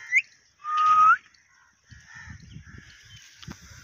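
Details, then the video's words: Pakistani parrot talking in Urdu in 2024: a brief sharp whistle, then a loud sustained whistled tone that rises at its end, followed by softer nasal voice-like murmurs and low rumbling noises. "Pakistani parrot talking in urdu"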